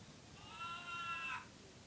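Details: Pet parrot, described by its keeper as crazy, giving a single drawn-out nasal squawk about one second long with rich harmonics, rising slightly and then cutting off, against a quiet indoor background.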